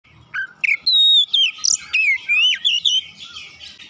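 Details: Oriental magpie-robin song, meant to stimulate a reluctant bird into full gacor singing: loud, clear whistled notes that slide up and down, with short sweeping phrases and brief pauses between them over nearly four seconds.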